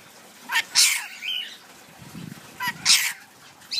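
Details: A male cinnamon lorikeet in an aviary gives two short, hissing, sneeze-like bursts about two seconds apart, high and breathy, with faint low rustling between them; he sneezes whenever his aviary is cleaned or his owner sneezes.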